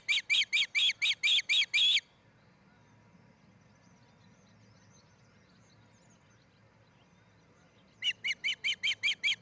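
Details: Nest-cam recording of an osprey pair building a new nest in Charlo, Montana, 07-10-2018: a quick run of about seven piercing whistled chirps, six seconds of quiet, then another similar rapid burst.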